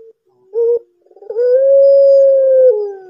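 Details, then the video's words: Barbary dove, of the kind kept as a lure to get young or quiet doves calling, a bird said to call by day and night; a short low note, a stuttering run, then one long steady drawn-out coo sinking at its end. "SUARA SERAM BURUNG PUTER"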